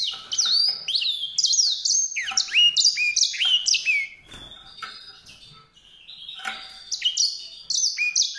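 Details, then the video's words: Rapid, bright warbling by a white-rumped seedeater: densely packed high notes and short downslurs, easing into a quieter stretch and then resuming with fresh chirpy phrases. "song canário-de-sobrebranco, Weißbürzelgirlitz, Edelzanger, kanárik sivý, zvonohlík šedý, greysinger"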